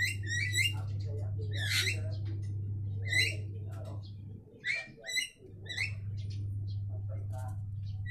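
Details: Javan mynas trading harsh, rising chirps and louder squawky bursts, irregularly spaced, with a dip in the background hum partway through.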